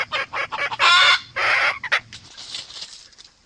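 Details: Red junglefowl hen and rooster calling each other, used as a trapping lure; a quick run of short clucks building into two loud, drawn-out cackling notes, then fading softer calls.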